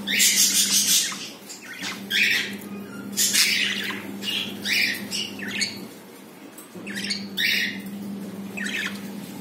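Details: Budgerigars kept in captivity indoors, a pair that has laid a first egg; bursts of harsh, buzzy squawks and chirps in clusters, pausing briefly midway, over a steady electrical hum.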